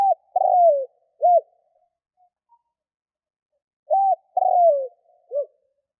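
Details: Spotted dove cooing to lure in wild doves. Two phrases about four seconds apart, each a short coo, a drawn-out rolling coo dropping in pitch, and a brief final coo.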